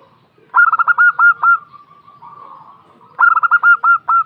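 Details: Female local zebra dove (perkutut) giving a sharp lure call that draws answers: two bursts of rapid staccato coos, the notes lengthening toward the end, separated by a steady soft hum.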